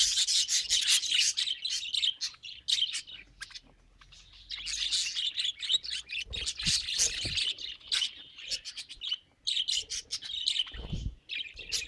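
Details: Budgerigar giving rapid, irregular bursts of sharp high chirps and chattering notes, separated by short quiet gaps, with a faint low hum in the background.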